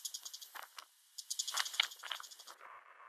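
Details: Bull-headed shrike recorded in Korea in November 2023 gives rapid, grating chattering notes in short bursts, one louder rasping call standing out, over a continuous high buzzing rattle.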